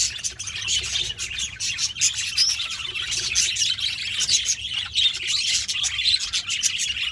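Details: Budgies keep up a constant, high-pitched warbling chatter, scratchy chirps blending with a few clearer whistled notes, several birds calling together.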